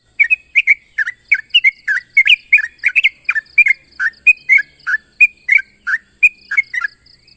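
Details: A sooty-headed bulbul calls out a rival with a rapid run of chattering, bubbly notes that rise and fall, about twenty in seven seconds. A constant high hiss sits behind them.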